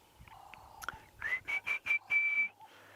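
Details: An Orange-breasted Bush-shrike calls early on a sunrise drive on 8 December 2016, though it normally calls only in the heat of the day. It gives a rising note, three short even whistles, then a longer held note, after faint lower background sounds.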